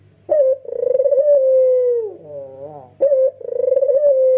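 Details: White Barbary dove, male with red eyes, cooing hard while bobbing: a sharp opening note into a long vibrating coo that drops off, a soft wavering interlude, then another bright note and pulsing coo; low hum beneath.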